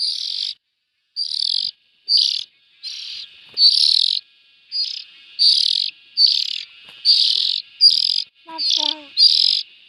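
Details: Nestling bulbuls make a string of about thirteen short, scratchy rasps over ten seconds, with a faint soft twitter near the end.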